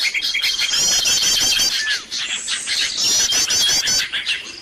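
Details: Lure track for calling birds in: crowded bird chatter with bright rippling trill series, a sustained high whistle early on and a short falling note, then trilling resumes after a brief lull.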